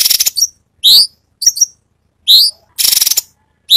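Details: Cucak cungkok in varied 'tembakan' song, recorded as training material for songbirds: loud rising whistled notes alternate with short chattering bursts, each note under half a second.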